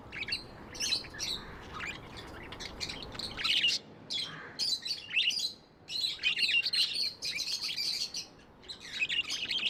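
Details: Tame budgerigars warbling and chirping, dense bursts of bright high notes and clicks broken by short silences, growing busier toward the end.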